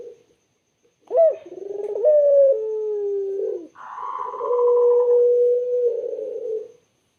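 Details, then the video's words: Island collared dove, clear and melodious, giving a rolling coo that ends in a long low note. A second long, steady coo follows, overlapped partway through by a brief higher, breathy sound. "BURUNG PUTER SUARA JERNIH DAN SYAHDU"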